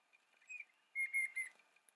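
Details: Bluebonnet (Northiella haematogaster) whistling in a garden at Patchewollock, Victoria, Australia: a soft short whistle, then three clear, high, slightly wavering whistled notes in quick succession, over a quiet background.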